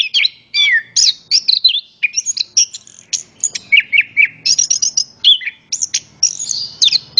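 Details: Lure song of an orange-headed thrush for stirring other birds to sing, with bright whistled phrases, repeated high chirps and short trills, plus a soft low rumble in the background.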